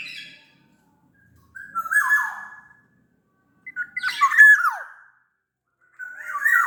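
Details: Black-naped oriole of the Sumbawa type, singing as a lure for reluctant orioles: harsh, nasal squawks with whistled undertones, falling in pitch, delivered in separate phrases about two seconds apart.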